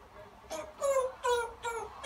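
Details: Pet African grey parrot copying the song "Always Look on the Bright Side of Life", heard earlier from a recording: wavering, voice-like tonal notes in a sing-song rhythm, rising and dipping in short bursts.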